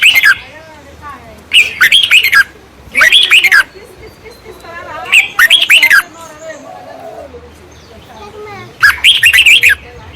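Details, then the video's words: At nesting baya weavers, short bursts of busy, high chattering chirps come irregularly, four or five groups spaced by silent gaps, with some fainter lower wavering tones and a low hum between. "বাবুই পাখির বাসা এবং কিচিমিচি শব্দ"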